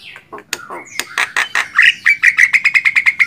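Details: Javan myna (jalak kebo) song used as master recording for training songbirds: scattered sharp clicks and harsh notes, then a fast run of about fifteen short ringing chirps repeated several times a second.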